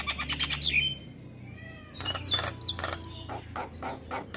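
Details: Black-winged myna song played mornings to train mynas: fast rattling harsh notes and a sharp whistle, a pause with thin whistles, then renewed squawking bursts and ringing notes.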